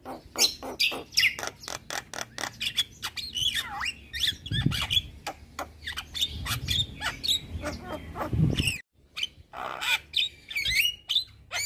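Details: Asian pied starling singing loudly to provoke neighbouring starlings: long stream of rapid rattling chatter, swooping whistles and harsh notes, a brief silent break, then more squawking bursts; low rumbling noise underneath.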